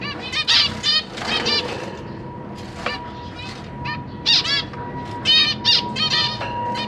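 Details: Caged zebra finches on 12 September 2023, parents feeding three juveniles and three new chicks; nasal calls in scattered bursts with a steady electronic whine running throughout.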